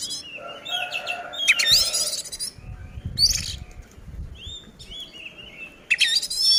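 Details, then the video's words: Oriental magpie-robin song, a fighting bout used to provoke other magpie-robins into anger; scattered bright whistles and rising notes with harsh buzzy bursts, mixed with low rumbling background noise. "suara burung kacer gacor ngeplong tarung ini ampuh buat pancingan kacer agar emosi"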